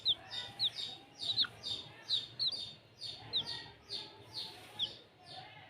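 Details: Chicks calling with loud, high, sharply falling peeps, repeated roughly twice per second in an uneven run, with fainter chirps between them and little background noise.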